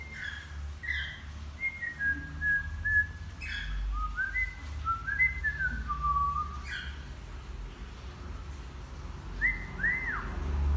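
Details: Whistled practice song of a young male cockatiel still learning: a run of short clear whistled notes stepping up and down in pitch, a few sharp chirps mixed in, ending with two quick rising-falling whistled arcs, over steady low hum.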